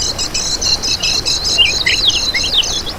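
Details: Rapid high twittering from a kecial kuning used as bait for trapping, a string of buzzy chirps ending in quick downward-slurred notes.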